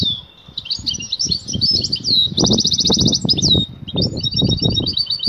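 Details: Female European goldfinch in breeding excitement, calling the male to mate with the twittering call known locally as batbata; rapid high twitters and slurred notes, a buzzy even trill near the middle, and low thumping and rustling beneath.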